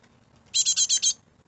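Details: Great tit fledglings calling in a garden in the UK: five quick, shrill, buzzy notes in a tight series lasting about half a second, then quiet.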